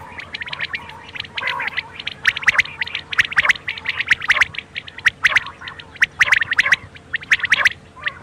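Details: Night quail calling: a continuous busy chorus of short sharp chirps and squawks from many birds, roughly one burst per second but irregular, with a constant low hum.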